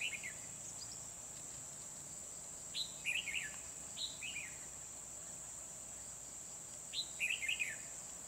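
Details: Red-whiskered bulbul recorded during trapping with a decoy bird at Kim Bôi, Hòa Bình, on 24 December 2020. Short, bright chirping phrases with quick falling notes come in bursts near the start, middle and end, over a steady high insect drone.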